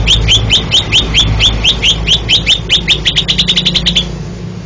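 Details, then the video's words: Greater Green Leafbird, a Banten champion singer, repeating crisp upward-sliding whistles at a measured pace that speeds into a fast rattling burst near the end, with low mechanical hum underneath. "vidio burung cucak ijo juara 1 banten"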